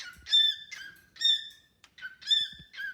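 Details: Pet cockatiel singing and chatting with a newly added bird: rhythmic clear whistled notes about every half second, alternating higher and lower tones.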